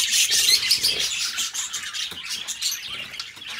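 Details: Two pet budgies trading rapid high chirps, about three notes per second, mixed with scratchy warbling, loudest at the start and softening toward the end.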